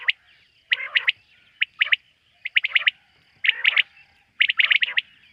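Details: Quail heard at night, in a setting linked to quail hunting: loud, rapid bursts of three to five sharp chirps about every second, some with a harsher rasp beneath, over a faint continuous high hum.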